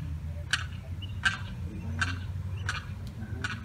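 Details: Tiny limpkin chick, separated by a fence from its mother and sibling, calls in distress. Five brief harsh notes come quickly, under a second apart, over low constant background noise.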